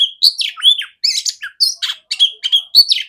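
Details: Female oriental magpie-robin (kacer) singing, played as training for other magpie-robins: loud clear varied phrases of whistles, slurred notes and buzzy bursts, separated by short pauses.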